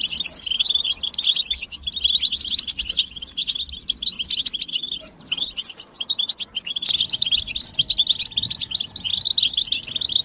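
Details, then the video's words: European goldfinches in group chattering (batbata) with mating and readiness calls, used to stimulate males to sing and end their silence; dense high twittering and chirps run almost continuously, with a brief quieter dip near the middle. "بتبتة الحسون تحفيز الحسون على التغريد والهيجان علاج صمت الحسون goldfinch stimulation"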